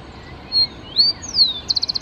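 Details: Grassland yellow finch (misto) giving high, clear whistles: a brief flat note, a rising slur and a long descending glide, then a rapid run of about six short staccato notes; quiet steady background hiss.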